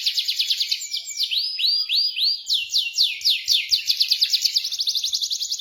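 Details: Canary song used to prompt a silent canary into rolling song: rapid high trills, then a run of loud descending slurred notes, then fast buzzy rolled trills with shimmering overtones to the end.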